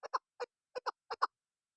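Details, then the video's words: Seven short clucks from a female chukar used as a lure by hunters, delivered mostly in pairs, each harsh note brief and throaty, in a quiet background. "Desi Shikari Chakor Hunter Madi Female Chakor Soundصدای کبک مادی نر چکور آواز"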